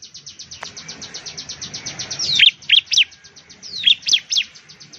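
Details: Bar-winged prinia song: a fast, even, high ticking trill runs throughout, then bright, loud, downslurred notes break in from halfway, in pairs and triplets.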